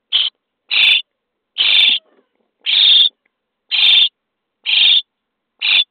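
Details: Starling chicks in a nest box, day 23 of feeding, repeat a loud scratchy begging screech roughly once a second, seven times.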